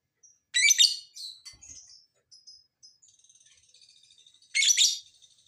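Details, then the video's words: Lovebird lure call to set other lovebirds singing: a loud scratchy chatter burst, thin high squeaks and soft rapid ticking, then another harsh burst near the end. "Pancingan Lovebird agar BUNYI, Lakbet malas pun akan NYAUT"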